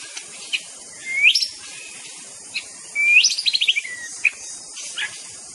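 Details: White-rumped shama (murai batu) singing: rising whistled slurs followed by a quick descending string of bright staccato notes, phrases separated by pauses and short chips, over a steady high hiss.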